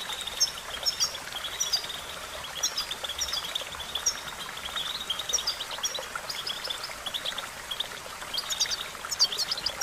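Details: European goldfinch training song, with repeated bouts of high, tinkling chirps every second or so and a faint steady hiss throughout.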